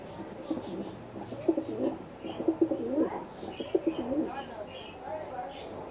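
A pigeon gives soft, throaty cooing phrases that swell and fall, with faint small-bird chirps above.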